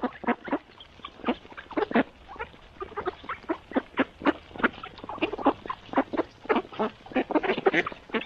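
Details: Mallard ducks during morning feeding produce loud, rapid, clipped quacks in an almost continuous stream, grouped in uneven bursts from a busy flock close by.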